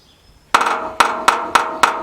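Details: A male Red-breasted Sapsucker drums on a steel gutter drain, recorded from inside a shop: five sharp, ringing metallic knocks with an uneven beat, the first gap longer than the rest, after a quiet start.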